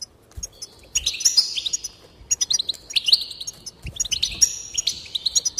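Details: Goldfinch song for stimulating singing: after a brief pause, bursts of buzzy, rattling trills mixed with bright chirps, repeated in three phrases.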